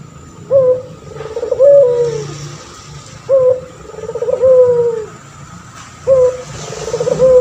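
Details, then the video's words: Male puter pelung turtle dove, a steady singer used as a training model for other birds, gives a deep, rolling coo: a sharp opening note, then a bubbling stretch and a long falling tone. Phrases repeat roughly every 2.7 seconds over a low background hum. "Burung puter pelung jantan gacor , di jamin langsung nyaut"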